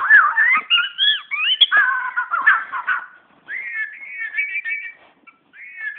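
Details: Magpie-robin in Brunei, 2013, singing at its own reflection in a mirror: rich, clear whistled phrases that slide up and down, first tumbling and varied, then a steadier run of repeated warbling notes with short pauses.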